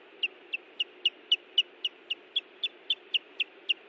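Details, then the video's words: Osprey defending its nest at Hellgate Canyon in Missoula, Montana, June 18, 2017: a steady series of short, piercing, downslurred whistles, about four per second, evenly spaced over a faint constant hiss. "Hellgate Canyon Ospreys ~ Sounds of Iris and Louis Defending The Nest"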